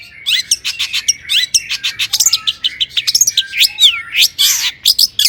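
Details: Varied, rapid song of a long-tailed shrike used as a lure for other shrikes: tumbling chirps, scratchy notes and sweeping whistles pour out almost without pause.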